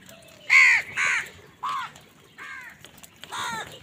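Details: Morning crows fighting over food with wild birds: five loud, harsh, nasal caws spaced roughly every half second to second, the first the loudest, over a quiet background with faint chirps.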